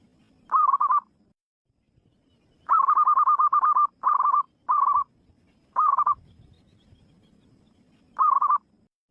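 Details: Zebra dove calling in the wild, giving short bursts of fast, purring trilled coos separated by silent gaps. One longer rolling phrase lasts over a second.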